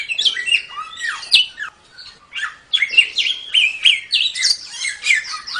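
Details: Mongolian lark (samyong) singing tembak-style as a model for songbirds: quick chattering series of sharp down-slurred and up-slurred notes, a brief lull near the middle, then a dense rapid run.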